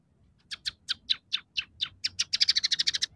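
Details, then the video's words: Scaly-breasted munia in full song with sparrow-like fillers: steady harsh chirps that speed up into a rapid chattering series toward the end. "suara burung emprit peking gacor dengan tiga variasi lagu"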